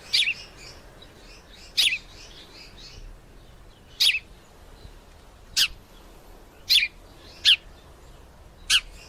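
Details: Male sparrow calling while two females fight nearby: sharp, high, isolated chirps spaced irregularly one to two seconds apart, with faint softer twittering at the start over a quiet background.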